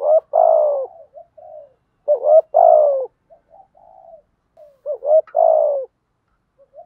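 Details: Male and female spotted doves give a lure coo meant to provoke wild males into calling. Three strong, rough, descending coos are each preceded by quick clipped notes and separated by faint, low murmurs, on a quiet background.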